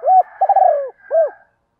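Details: Female spotted dove calling to attract males: a short fragment of soft, low cooing, an arched coo, a longer wavering burr sliding downward, then one more arched coo, against a silent background.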